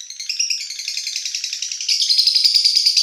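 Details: Lovebird at night, ngekek singing: a short burst of fast, gritty chatter that rises to a brighter, denser trill toward the end.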